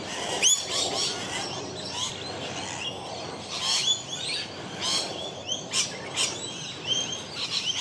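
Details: Rainbow lorikeet in Melbourne in a territorial dispute with the camera operator gives harsh, shrill screeches and rapid chattering bursts, several overlapping every second or so, over soft outdoor hiss.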